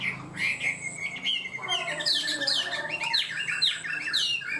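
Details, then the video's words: Chinese hwamei cage bird, said to sing high and intricate and to start quickly and steadily, opens with a held whistle then breaks into a quick chain of bright falling and rising notes, loud and continuous. "Chim họa mi hót cao cầu, ra mỏ nhanh ổn định"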